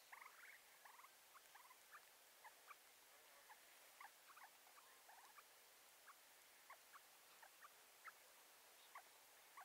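Rufous-bellied Seedsnipe giving quiet, short, clipped notes, scattered irregularly and sometimes in quick pairs, over a soft background hiss.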